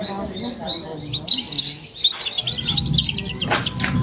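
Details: Young F1 SF canary, four months old, repeating short looping high chirps about three per second, followed by a quick buzzy trill.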